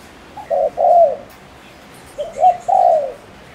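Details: Spotted dove used as a decoy in Ninh Thuận, Vietnam, to provoke males: two mellow coo phrases, each a soft pickup note, a short coo and a long descending coo, under two seconds apart.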